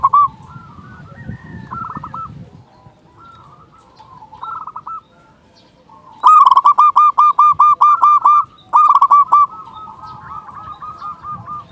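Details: Local loud zebra dove, used to lure doves and lift the mood of quiet birds. Scattered soft coos lead to a long run of about ten fast, evenly spaced loud cooing notes, then a shorter run.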